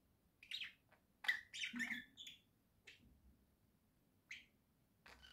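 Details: Pet budgerigars from a home flock, October 2024, give scattered squeaky chirps and a short burst of warbled chatter indoors, with quiet gaps between the notes.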